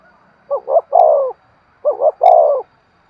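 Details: Spotted dove decoy cooing to attract wild birds, two phrases each of two short coos and a sustained falling coo, separated by half a second of quiet and a couple of tiny clicks.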